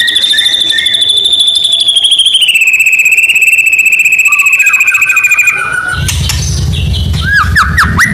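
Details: Medan white-rumped shama in full, energetic song used as a lure for other birds: a long sustained whistle that wavers and steps down in pitch, then a burst of quick upslurred notes over a rough, noisy background.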